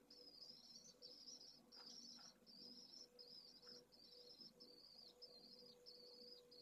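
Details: Hours-old Pallid swift chick at a nest in Jerez de la Frontera, Spain, in 2022, loudly demanding food during its first feedings. A long run of high, trilling, wavering phrases follows about every half second over a low electrical hum.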